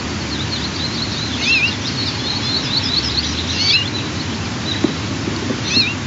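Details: White-tailed eagle eaglets, 12 and 14 days old, at the nest during the second family feeding of the morning, 4 June 2023. Several short, high squealing cheeps with downward slurs, amid a faint chorus of small songbirds and steady rushing background noise.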